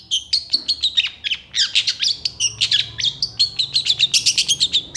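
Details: Long-tailed shrike delivering an excited, non-stop long-burst song intended for training other shrikes: rapid chattering notes mixed with thin high whistles, pouring out in an unbroken stream of short pulses.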